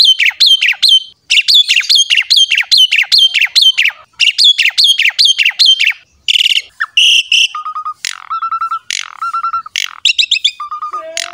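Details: Javan pied myna singing vigorously to prompt other mynas and songbirds: a fast run of repeated sharp chattering notes, about two per second, giving way to buzzy blasts and level piping whistles.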